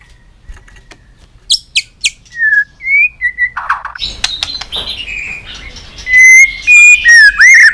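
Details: White-rumped shama, stimulated and tail-flicking, in multi-voiced song: scattered sharp chips and short whistles build into loud, clear, ringing whistled notes with rising and falling slurs.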